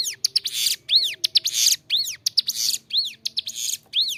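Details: Persistent bar-winged prinia (ciblek gunung) song for training captive birds: sharp clicks, bowed whistles and rasping buzzes, repeated roughly once per second.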